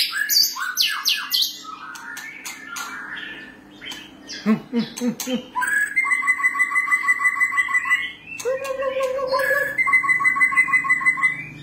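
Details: White-rumped shama song: a burst of varied quick whistles and chips, then long, even, rapidly repeated trills at a steady pitch, sung in two separate runs, with a few scratchy notes between them.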